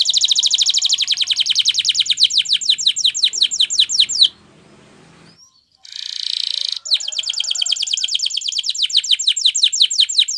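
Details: Training song of a canary in Spanish Timbrado style: long, rapid metallic trill of repeated high strokes, a pause with a short harsh rasp, then the quick trill resumes steadily.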